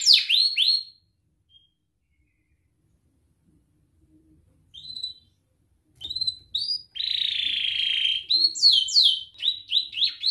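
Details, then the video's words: Canary lure song for juvenile learners: a brief burst of descending chirps, a long silence, then scattered notes, a sustained buzzy tone and quick downslurred chips. "Kenari gacor NGERIK Cuit Cuit Ngerol nembak - Pancingan kenari paud belajar bunyi"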